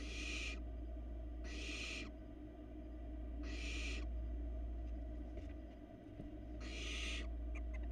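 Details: Hungry barn owl chicks at a Florida nest camera rasp while their mother feeds them: four harsh hissing bursts spaced about every one and a half seconds, a quieter gap between, low hum throughout.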